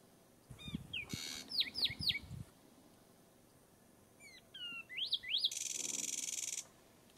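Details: A Zapata wren in the swamp near the Santo Tomas track, Zapata Peninsula, Cuba, January 2017, gives quick, clear whistled notes that swoop up and down in short bursts, broken by loud hissing bursts of noise and some low rumbling.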